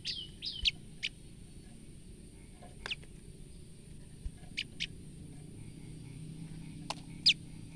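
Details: Female olive-backed tailorbird calling out of fright: a quick cluster of sharp, high descending notes at the start, then scattered single thin downward-sweeping chips over steady low background rumble.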